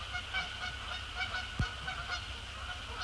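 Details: Canada geese, resident and migratory, arriving at Sapsucker Woods Pond after sunset, a short run of repeated honks with a single sharp click midway and constant hum.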